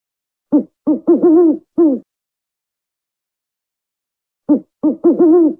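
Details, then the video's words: Two matching phrases of the African wood owl, each made of three or four quick, low hoots ending in a slightly longer note, separated by silence. "African Wood-Owl Call"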